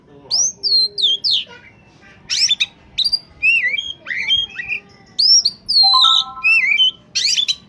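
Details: Oriental magpie-robin in peak form, its song used as a lure for catching birds: rich varied phrases of looping whistles, sweet slurred notes and brief harsh buzzes, delivered in quick bursts with short pauses.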